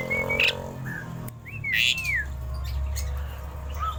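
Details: Tame, vocal Asian pied starling giving sliding whistled notes, a rising-falling arched whistle and harsh broadband squawks, with a steady low hum underneath.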